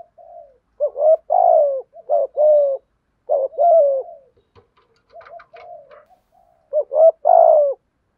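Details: Spotted dove cooing 'gáy thúc' with a 'giọng thổ' voice: steady paired phrases of short notes and longer falling coos, a soft murmuring middle stretch with faint higher chirps, then the full phrase again.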